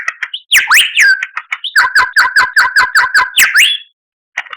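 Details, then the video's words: White-rumped shama (murai batu) masteran: a rapid melodious run opening with swooping whistles, then a fast steady trill of repeated notes, ending with a rising whistle and a short pause. "Masteran Murai Batu"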